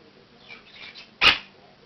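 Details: At 7 am, a year-old male Monk (Quaker) parakeet starts his daily wake-up call indoors, giving a few soft, scratchy chatters, then one loud, harsh squawk. The room is otherwise quiet.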